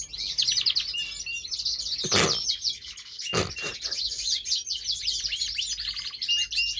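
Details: A pet male canary sings a long, fast stream of high rolling trills and twittering phrases, broken by two brief low thumps partway through.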